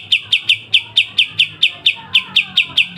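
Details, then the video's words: Pied triller, known locally as kapas tembak, giving clear masteran song with sharp besetan: a steady string of piercing high chips, roughly four or five each second, unbroken for three seconds. "Masteran full kapas tembak dengan besetan tajam"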